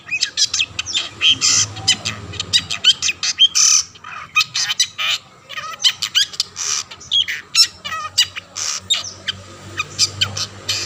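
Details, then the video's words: Long-tailed shrike in lively song aimed at prompting other shrikes to join in: a long mix of grating squawks, quick chirps and trilled whistles in uneven bursts, with low hum underneath. "burung cendet gacor ampuh‼️ memancing cendet lain ikut bunyi"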